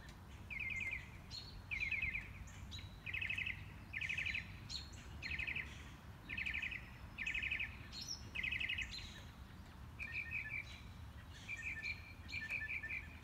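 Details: A mockingbird, heard but never seen on a morning walk, repeats a buzzy rattling phrase about every second, then switches to a faster, thinner chattering type, over a steady hum of background noise.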